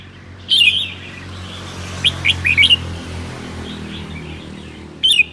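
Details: On a cold day in Sơn La, a red-whiskered bulbul delivers its 'ché' song: a short bright chirp, then a tumbling run of quick whistled notes, and a final brief chirp, with steady low background hum.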